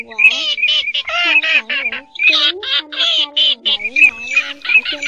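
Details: Lure recording of terns for night netting during the late migration season of 2023: many birds give harsh, buzzy squawks in quick succession, some wavering and bending in pitch, over lower honking notes, almost continuous.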